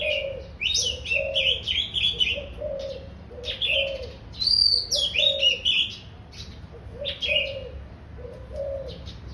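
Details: Oriental magpie-robin in full song: repeated bursts of high, squeaky, chattered phrases every second or two, set against continuous gentle low cooing like a dove.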